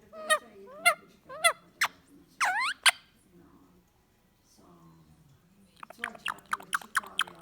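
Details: A recessive pied Indian ringneck parakeet, indoors on a relaxed night, mimics "No" over and over: short, sharp, rising squawks and clipped speech-like syllables, then a rapid run of high chirps; household voices murmur behind.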